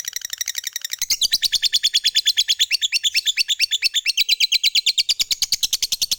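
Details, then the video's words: Long ngekek trill from a lovebird, meant to prompt other lovebirds to sing: a steady, very rapid stream of high, even pulses, about three per second at first and then unbroken for several seconds. "SUARA BURUNG LOVEBIRD Gacor, JAGO NGETIK Bikin Lovebird Apapun Lekas TAMPIL NYAUT NGEKEK"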